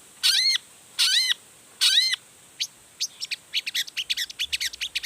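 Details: Long-tailed shrike singing constantly and with full emotion, showing off its repertoire to provoke other shrikes to answer: three loud, harmonic, down-curving notes a second apart, then a fast run of sharp high chirps.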